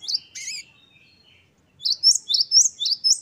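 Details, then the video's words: Great tit wucit-wucit phrase: a couple of sharp notes, a pause, then five evenly spaced high whistled notes, each rising and falling. "Gelatik batu gacor | Glatik Wucit2 10 variasi Masteran Gelatik Gacor | Parus Major."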